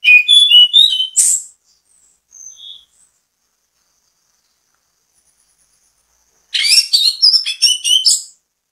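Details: Anis kembang (orange-headed thrush) bait song aimed at making other thrushes sing: a burst of rapid chirping whistles, a few soft isolated notes, a long silence, then another fast tumbling phrase of varied high twitters.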